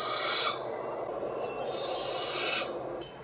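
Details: A barred owl, one of a family group perched near a woodland trail, gives the screech these owls use to communicate with each other. Two harsh, hissing screeches: a short one, then a longer, drawn-out, toneless breathy rasp of about a second.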